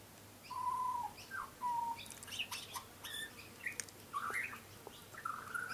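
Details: Young tame butcherbird in a garden sings clear whistled notes at the start, then a jumble of sharper clicks and chips, closing with rising whistles; lighter black plumage marks its youth.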